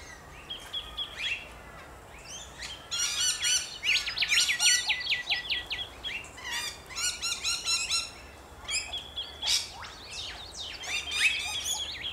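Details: Flock of rainbow lorikeets in Australia chattering: quick clusters of shrill, stuttering notes in rapid bursts, interspersed with squeaky whistles, busy and overlapping throughout.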